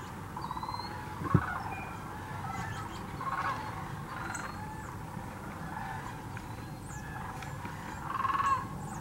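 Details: Thousands of sandhill cranes gathered at Hiwassee Wildlife Refuge, Birchwood, Tennessee, filmed on a GoPro Hero 9 or Canon Powershot: a steady chorus of rolling crane calls with a few louder bugles surfacing, one sharp click, and faint thin chirps.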